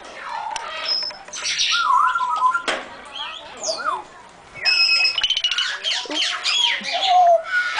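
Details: African grey parrots calling together in a large sanctuary aviary in Friskney, Lincolnshire: loud overlapping squawks, clear whistled slurs and chatter, with a short quieter pause midway before the flock noise swells again.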